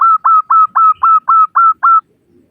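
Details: Female zebra dove, local bird, calling males: eight evenly spaced, mid-pitched, slightly falling cooing notes, about four per second, then silence.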